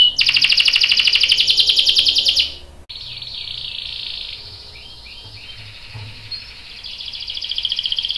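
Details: A lure for prompting a male canary to sing, with a long rolling passage: a dense fast trill for two seconds, then a sustained buzzy rattle, a few soft slurred notes, and the trill returning at the end.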